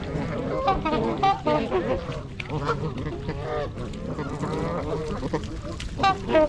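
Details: Flock of 42 trumpeter swans in winter at Gallup Park, Ann Arbor, Michigan, January 8, 2022, filmed with a GoPro; loud trumpeting honks, several birds calling at once, bursts of bent, upslurred notes with brief quieter gaps.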